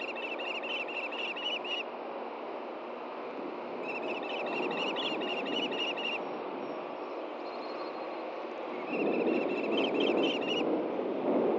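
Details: Osprey pair at a Hellgate Canyon, Montana nest on a June 2014 morning, one delivering a fish the other is slow to take; three bursts of rapid, high, piping chirps, each about two seconds long, over constant roaring ambient noise.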